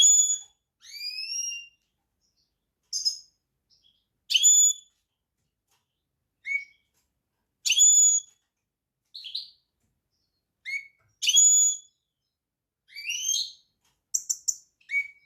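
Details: European goldfinch song of varied clear whistles: upslurs, ringing notes, short buzzy bursts and brief chirps, spaced irregularly across fifteen seconds.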